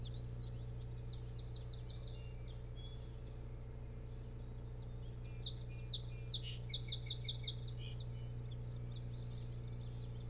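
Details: Osprey at a boat house nest on Hog Island near Bremen, Maine, recorded by nest camera at night on 24 June 2018; two bursts of high, rapidly repeated chirping whistles over a constant low electrical hum.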